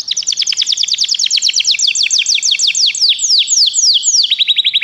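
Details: Canary song for training: a long continuous trill of downward-sweeping whistled notes about six per second, slowing toward the end and finishing with a quick rolling burst.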